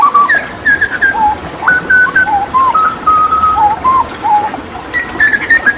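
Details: Hooded butcherbird (Cracticus cassicus), a Papua endemic skilled at mimicking other birds, gives a run of clear, flute-like whistled notes, each short and level, stepping between low and higher pitches about three a second; recording used as song-tutoring master.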